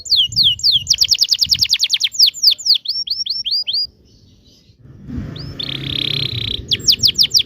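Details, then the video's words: Rolling 'ngerol' canary song for tutoring young canaries: quick, repeated high trilled notes and descending whistles, then a pause with background rustle and a long buzzy note before the rapid trilling resumes. "kenari gacor panjang TEMBAKAN NGEROL"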